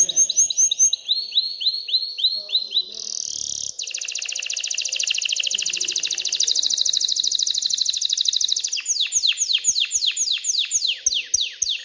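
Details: Canary excitedly singing to urge females toward mating and nest building: a run of repeated downswept whistles, then a dense rattling trill for about five seconds, followed by a series of loud rising-falling chirps.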